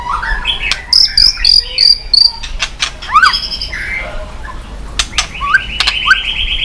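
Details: White-rumped shama singing while flicking its tail, a recording meant to stir other shamas to sing; quick run of repeated high chirps, then swooping whistles and a buzzy rising phrase, with scattered sharp clicks.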